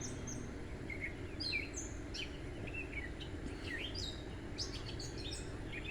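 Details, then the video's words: A gray catbird sings from a tree in a backyard at sunset on 9 June 2024, a rambling, jumbled string of squeaky, chattering and whistled notes at varied pitches over low rumble; it sings there all day and into the night. "Cat Bird Singing"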